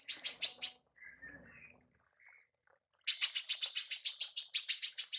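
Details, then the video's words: Female manggar 'tembakan' for mastering songbirds: a brief run of sharp chirps, a quiet stretch with faint soft notes, then a steady fast volley of high buzzy chirps. "TEMBAKAN MANGGAR BETINA"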